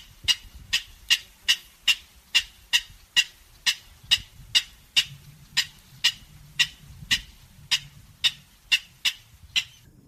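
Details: King Rail in marsh giving a steady series of harsh, rasping kek notes, about two per second, evenly paced, slower and deeper than Clapper Rail, with a faint low rumble beneath.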